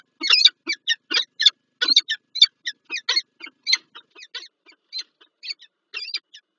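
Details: Wild Peregrine Falcon pair at their morning meeting in Lublin, Poland, on 19 January 2024, uttering loud grating notes in quick bursts that gradually slow, thin out and fade toward the end.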